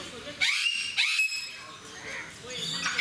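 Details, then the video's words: Eclectus parrots in Mysore Zoo, described as noisy: two sharp, grating screeches in quick succession half a second apart, then quieter raspy calls amid background chatter from a crowd. "Beautiful, Noisy Eclectus Parrots In Mysore Zoo"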